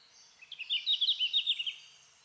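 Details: Red-flanked bluetail singing in summer in subalpine forest, such as on Mount Fuji: one short, sweet, wavering warble of about a second, quick notes rippling around mid-high pitch, fading slightly at the end; quiet background.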